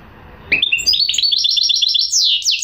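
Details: Goldfinch mule song opening with rising slurred whistles that build into a fast, high trill of repeated notes and end in falling buzzy strokes.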